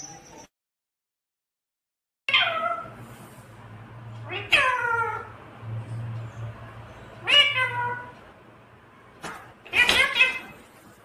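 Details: Pet talking parrot indoors giving four loud, harmonic calls that sweep downward, spaced about two to three seconds apart after a short silence, with a low steady hum underneath.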